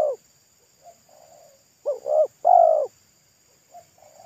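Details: Spotted dove singing wild at a roadside, a local bird with a thick, loud pesom-style voice: soft faint coos, then three loud deep coos in quick succession, then quieter coos again, over a faint constant high-pitched hum.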